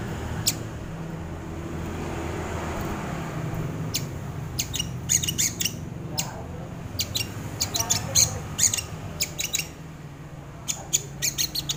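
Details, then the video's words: Sogon bird song used as a lure and training recording for birds: bursts of very high, sharp, clicking chips in rapid clusters over a steady low hum. "SUARA BURUNG SOGON UNTUK PANCINGAN ATAU MASTERAN // SUARA PIKAT BURUNG SOGON"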